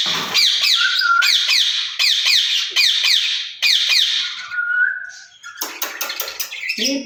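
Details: A pair of caged ringneck parakeets, reportedly speaking Urdu and Hindi to one another. Bursts of harsh, grating screeches come about once a second, broken by a drawn-out, clear whistle held near mid-pitch.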